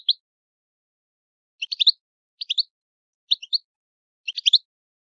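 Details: Italian European goldfinch in old-style song, here only short clusters of high twittering notes spaced about a second apart with silence between.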